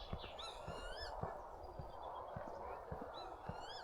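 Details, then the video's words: Northern lapwings flying about over quiet North Yorkshire country roads on a calm, warm early morning with hardly a breath of wind, giving wheezy, slurred peewit calls, one burst early and one near the end, over soft footsteps. "Can you hear the lapwings there?"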